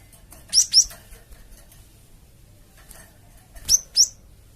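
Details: Java sparrow lure call, played to provoke flocks of other birds into answering; two pairs of sharp, high, upward-flicking chirps, the first near the start and the second after a long quiet gap of nearly three seconds.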